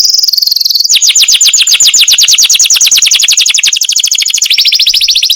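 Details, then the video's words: Masteran canary in a long roll: a high buzz followed by an unbroken run of rapid, evenly spaced descending notes, shifting slightly higher near the end. "suara kenari masteran"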